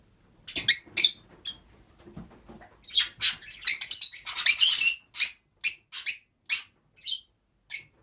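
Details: Group of pet rosy-faced lovebirds housed together, giving a busy run of piercing, raspy chirps and squawks, densest in the middle, then spaced single shrill notes near the end.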